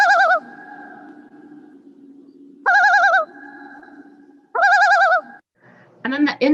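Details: Common Loon tremolo, an alarm call given when a predator or people come too close: three quavering, laughing bursts about two seconds apart, wavering on two stacked pitches, with a low hum beneath and a brief different call at the end.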